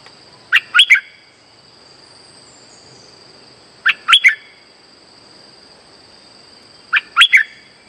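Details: Lure call of a streak-eared bulbul for trapping: short three-note chirpy phrases repeated about every three seconds, over a persistent high whine and light hiss.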